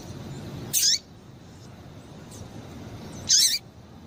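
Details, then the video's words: Female double-collared seedeater call used to excite a male: two loud, very high notes about two and a half seconds apart, each sliding down at the end, with faint hiss between. "Piado de Fêmea de Coleiro Quente para Esquentar Coleiro tui tui"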